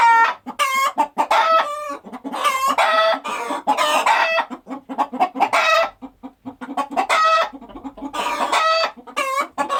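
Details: Farm chickens going about daily activity, a busy mix of soft rhythmic clucks overlaid by loud, harmonically rich drawn-out squawks and cackles that come in bursts of a second or two.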